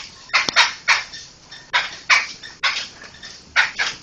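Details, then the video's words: Laughingthrush song used for training other songbirds: harsh, broadband chattering notes in short bursts, some paired, spaced about half a second to a second apart, with faint background hiss. "Ocehan Burung Poksay"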